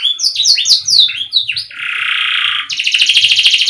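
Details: Canary song offered as a strong lure for a canary that has stopped or is reluctant to sing: quick descending whistled notes, then a steady buzzy roll, then a fast high rattling trill.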